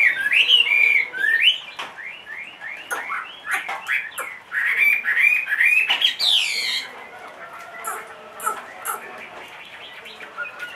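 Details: A caged Chinese hwamei, a large-bodied bird aged two and a half, pours out a fast, varied stream of looping whistled notes for about seven seconds, then trails off into quieter scattered notes and clicks.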